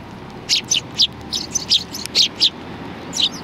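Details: Sparrows arriving to be fed at a Tenmangu shrine, 16 January 2020, give a quick run of loud, bright chirps spaced about a quarter second apart, then a pause and a final pair.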